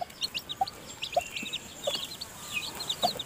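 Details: Mother hen feeding her newly hatched chicks in the nest. Soft low clucks repeat about every half second beneath busy, high chick cheeping.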